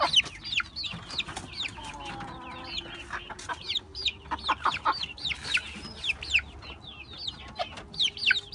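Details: A flock of Brahma chicks with young hens keeps up a constant chorus of shrill, arching peeps, some rising then falling, with occasional soft low clucks beneath.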